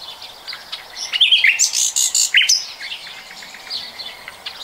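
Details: Common nightingale singing in 2020: a short burst of varied phrases with sharp rising and falling notes, a dense cluster of high, rapid elements in the middle, and softer twittering before and after.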